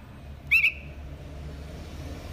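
A young bulbul gives one brief, squeaky, slightly wavering double note, high and thin. A low background hum runs throughout.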